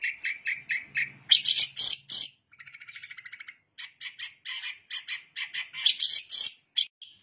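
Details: Long-tailed shrike singing a prinia-like song: rapid repeated chips, harsh buzzy bursts, a brief low rattling trill, then more quick sharp notes, fairly loud and varied.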